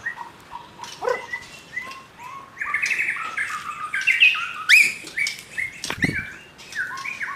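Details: Young wild white-rumped shama singing a varied song of whistled notes and short buzzy phrases, with pitches jumping between low and high, and several sharp clicks near the end.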